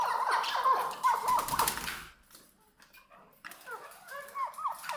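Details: Maskati chakor (chukar partridge) calling in bursts of sharp, clucking chuk notes for about two seconds, then a short near-silent pause before more scattered chuk and chukar notes return.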